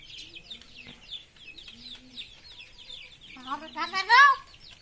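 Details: Common hill myna talking, mimicking speech: a busy backdrop of many rapid high chirps from other birds, then near the end a loud harmonic, voice-like rising phrase stands out.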